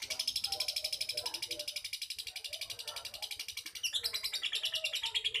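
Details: Lovebird giving a rapid, steady run of high, harsh chirps, closely spaced and continuous, briefly shifting pitch and pattern near the end, with faint low murmurs beneath.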